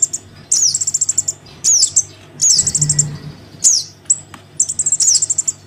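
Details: Crimson sunbird chick calling its parent, a recording used as a lure for wild sunbirds: very high, thin, sharply falling squeaks and fast trilled bursts in groups roughly every second, with faint low hum beneath.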